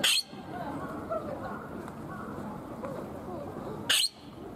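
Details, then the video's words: Palawan peacock-pheasant kept at Ueno Zoo, Tokyo, Japan, with one harsh screech cut off at the start and another loud, abrupt burst near the end, separated by low background chatter and hum. "【singing】Palawan Peacock Pheasant"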